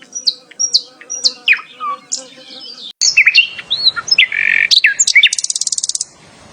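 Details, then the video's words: Bulbul, or Sikatan Londo, delivering a melodious song of repeated sharp whistled upslurs, then a denser run of varied notes ending in a fast, even buzzy trill of rapid pulses. "The Bulbul bird (Sikatan Londo)"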